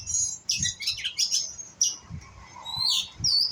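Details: Young White-rumped shama learning to sing: thin, high, scratchy notes and short buzzy fragments, uneven and broken, with soft low thumps below and a rising sweep near the end.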